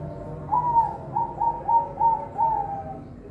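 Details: Captive-bred perkutut, or zebra dove, at a Semarang bird farm in Indonesia, giving six soft cooing notes, each rising briefly then gliding down, spaced roughly half a second apart over a low background hum.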